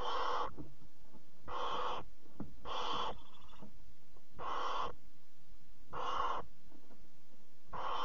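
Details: Barn owl at a nest box at 3 a.m. on 26 July 2017, mother bringing a bird as prey to the fourth chick; harsh broadband hissing screeches, about half a second each, repeated roughly every one and a half seconds.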